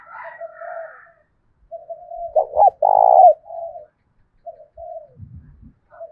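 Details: A decoy spotted dove with a 'thổ' voice coos to provoke wild doves into cooing back. Low, hollow coos are given in uneven phrases, with a loud, rough burst in the middle and softer trailing notes.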